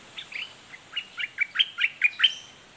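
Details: Red-whiskered bulbul singing in the southern 'dok taeng' style with doubled notes, described as fierce. Short bright chirps and slurred whistles, about ten notes in under three seconds, rising in loudness toward the end.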